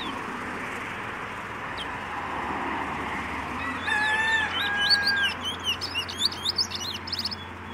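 A quick, varied run of clear whistles and sharp chips from a Trinidad bullfinch bursts in after a few seconds of steady background hiss.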